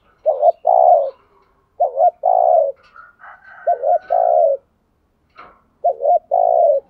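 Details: Decoy spotted dove calling to attract wild doves, repeating its low cooing phrase four times, each a short double note followed by a longer rolling coo, with brief faint chirps between phrases.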